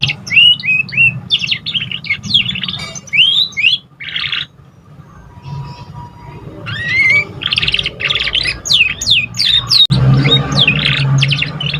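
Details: Young canary just learning to sing, a practice-stage song: rapid high chirps and upslurred whistles in bursts with short pauses, later dense twittering, over a steady low hum and a faint constant tone.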